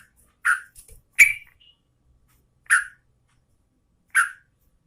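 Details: Yellow-vented bulbul, a female calling the male while in breeding condition: short chirped notes with bright overtones, spaced irregularly about a second apart, with a faint soft tap between them.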